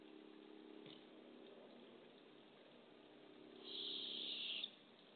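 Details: Barred owl nest box camera at dawn, as the female tries to deliver a baby opossum past an owlet blocking the entrance. A low steady hum is followed by a loud, rasping hiss lasting nearly a second.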